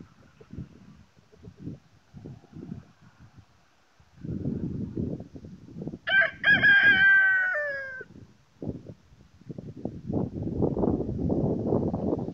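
A Dorking rooster gives one full crow, about two seconds long: a brief opening note and then a loud, ringing held phrase that falls at the end. Bursts of rustling and scuffling noise surround it.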